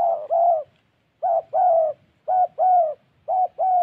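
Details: Spotted dove used as a decoy bird in Gia Lai, Vietnam, cooing in low, mellow paired notes, a short coo followed by a longer one, the pairs repeated about once a second in a quiet setting.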